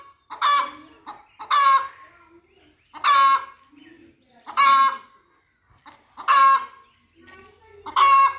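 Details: Chicken hen calling in loud, strained, squawking bursts repeated about every one and a half seconds, each note harsh and buzzy with a steady tone, softer low murmurs and faint rustling in the pauses.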